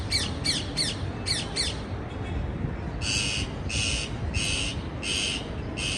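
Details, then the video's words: Parakeet calls: several rapid scratchy chirps, a short pause, then a row of longer, evenly spaced harsh squawks, all over a constant noisy background. "Parkeet Birds Sound"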